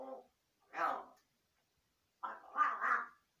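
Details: Large-billed crow imitating a human voice while talking to itself: a brief voice-like syllable, then after a pause a longer, wavering, harmonic run of speech-like sounds, with no other sounds.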